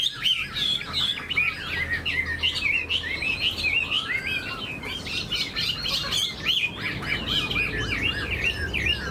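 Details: Chinese hwamei kept caged and tame, fanning its tail and spreading its wings in an eagle-like display. It sings continuously with rapid warbled whistles and slurred notes, briefly dropping to a lower swooping phrase midway.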